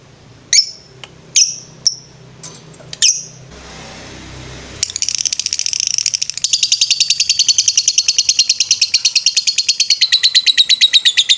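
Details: Lovebird singing in the ngetrek style on a master recording for training birds: a few scattered sharp chirps, then a long, fast, continuous high trill of rapidly repeated notes that carries on to the end.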